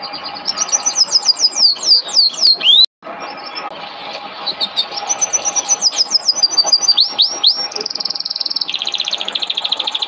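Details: Canary training song (masteran kenari): rapid high trills and rolling, descending whistled notes, then a long buzzy sustained trill and fast repeated chips, with a brief cut near three seconds.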